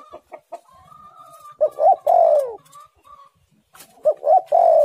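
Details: Spotted dove singing with a tight, pressing voice: clear arched coos and a long drawn coo lead into a second phrase, while another bird gives a thin, higher, level whistle and soft clicks sound in the background.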